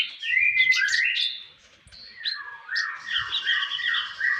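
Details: Konin song used as a master for training songbirds: bright whistled notes and quick rising slurs, a brief pause, then a busy warbled stretch.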